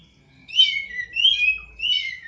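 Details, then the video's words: Poci bird (prinia), bathed nightly for contest singing, repeats three similar high, slurred whistled phrases, each starting sharply and gliding downward, spaced under a second apart. "Suara Burung Poci"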